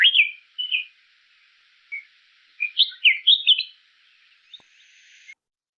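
Red-whiskered Bulbul singing short, bright, liquid phrases of chirpy, warbled notes, with a brief pause before a quicker burst of four or five notes.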